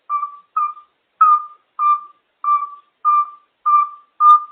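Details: Pet African grey parrot making noises: a clear mid-pitched whistled note, slightly falling at the end, is repeated eight times at a steady pace of about one note every 0.6 seconds, with nothing else heard.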